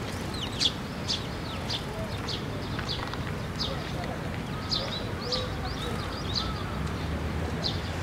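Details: Several sparrows fly in to take food from a post at Tenmangu shrine on 12 May 2024. Many short, high chirps come in an irregular scatter over a steady low rumble of background noise.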